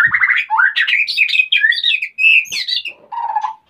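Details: Breeding-condition male white-rumped shama seeking to mate as the female is busy nest building, Salaman, Magelang, Central Java; loud, rich warbled phrases sweeping up and down, mixing whistles with buzzy notes.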